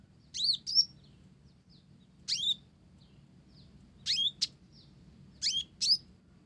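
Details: Olive-backed sunbird singing vigorously with mimicked Java sparrow phrases: paired thin, high downslurred chips repeated every one to two seconds over a low steady hum.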